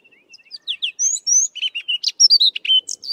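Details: Sabota lark singing in the southern Karoo, a varied, rambling, melodious phrase of quick whistled and buzzy notes, some rising and falling, little mimicry of other birds, delivered in a rapid run of short bursts.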